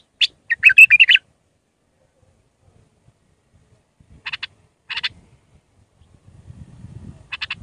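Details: Raw Iraqi bulbul in Mandalawi style, singing to teach chicks: an opening chattered phrase, then widely spaced short tick notes over a soft low rumble.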